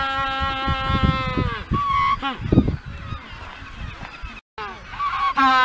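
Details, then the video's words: Magellanic penguin giving its mating call on Magdalena Island in the Magellan Strait, Chile: loud, harmonic honking brays with pulsing, throaty bursts, a brief silent break near the end, then a final rising honk. "Penguin honking mating call"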